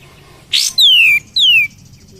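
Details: Cream-vented bulbul, locally kapas tembak, singing as a lure for other birds: one harsh rasping burst, then two loud, clean whistles, each gliding smoothly downward.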